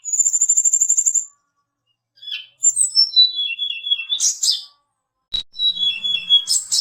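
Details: Mountain tledekan song serving as a lure to provoke fighter birds. It begins with a high even trill of rapid pulses, then stepped descending whistles and harsh bursts. A click precedes a final whistled phrase.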